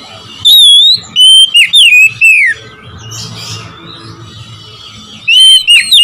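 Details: Oriental magpie-robin song to provoke rival birds: a few strong descending whistles, a quiet stretch of soft warbling, then another loud whistled phrase at the end.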